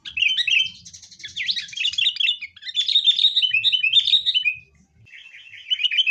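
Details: Sooty-headed bulbul in a fighting lure recording for caged birds: continuous busy chatter of quick, overlapping whistled and chirping notes, with a brief drop in volume before the chatter resumes.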